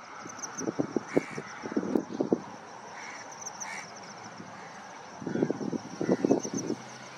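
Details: White-browed coucal (Centropus superciliosus) gives two runs of low, hollow, bubbling hoots, each lasting about two seconds, over a steady high insect hum and faint higher chirps.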